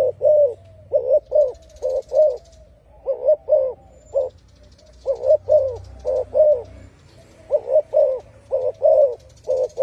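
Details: Repeated hollow coo phrases of a spotted dove, three or four rapid notes per group with short pauses, the pattern going on for nearly ten seconds, faint hiss high above.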